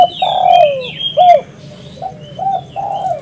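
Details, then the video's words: Spotted dove, recorded for luring wild doves, giving low hooting coos in a short uneven phrase, with thin high chirps from other birds behind. "suara burung tekukur gacor paling ampuh untuk pikat dan pancingan"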